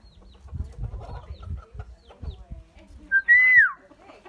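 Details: Common myna, a bird said to give many different sounds and able to learn human voices; soft low chattering and clicks, then one loud clear whistle that rises briefly and slides down near the end.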